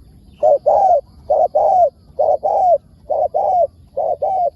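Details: Wild spotted dove replying to a decoy, its calling praised as good with wild-style phrasing. Four brisk, evenly spaced phrases, each a short note followed by a sustained coo that bends downward at the end.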